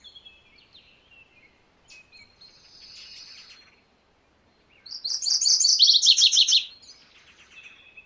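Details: MacGillivray's warbler singing: after a few faint, thin high notes, one loud rolling phrase of rapid chattering notes, the second half dropping slightly lower, lasting under two seconds.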